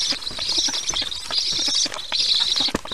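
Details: Black stork chicks being brought lunch by a parent at the nest, 22 July 2019, early afternoon EEST; two long wheezy, buzzing bursts separated by a brief pause, with sharp ticking noises.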